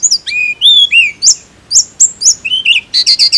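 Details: Fast tledekan song of curving high whistles, some rising and some falling, broken by sharp ticks, ending in a rapid burst of buzzy notes, roughly four notes a second.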